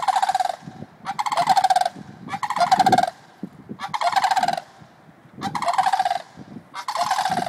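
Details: Two adult sandhill cranes at White Bear Lake, Minnesota, calling loudly. Their rolling, rattling trumpet bursts last about a second each and repeat roughly every one and a half seconds. The voices overlap, with faint low background rumble.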